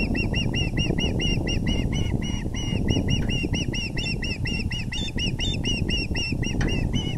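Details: Male osprey bringing a big fish to the nest on the evening of April 6, 2020, around 6:30 pm; a dense, steady run of sharp, high whistled chirps repeated rapidly throughout, over a constant low rumble of wind.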